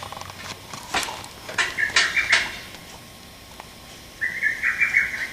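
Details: Male lesser cuckoo recorded 30 May 2017, giving its sharp call rendered as "tokkyo kyoka kyoku": two quick phrases of five or six clipped whistled notes, a short pause between them, with scattered sharp clicks in the background.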